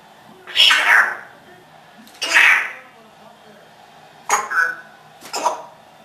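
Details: A 14-year-old male pet African grey parrot, Toto, talks in four short, harsh, speech-like bursts over about six seconds, mimicking human swearing learned from past roommates, while being told to be quiet.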